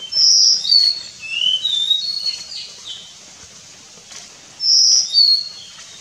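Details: Nilgiri blue robin (Nilgiri sholakili) at Kudremukh, northern edge of its range, singing a high, thin whistled phrase of sliding notes stepping down in pitch, repeated after about three seconds' pause.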